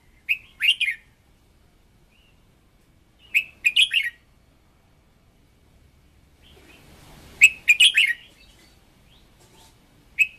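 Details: A red-whiskered bulbul decoy sings bright, warbled phrases of a few quick notes, spaced three to four seconds apart, in a clean, quiet setting. The song is meant to train its voice.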